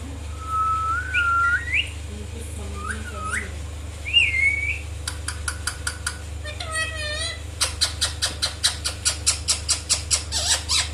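An Indian ringneck parrot gives a few clear, swooping whistles, then a run of harsh, rapid screeches repeated several times a second, over a steady low hum.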